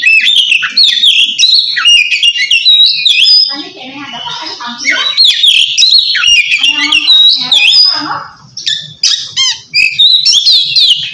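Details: Oriental magpie-robin singing ngeplong to call a rival and stir quiet birds into song. Energetic cascade of whistles, chatters and harsh scratchy notes, loud throughout apart from a softer, lower-pitched passage around the middle.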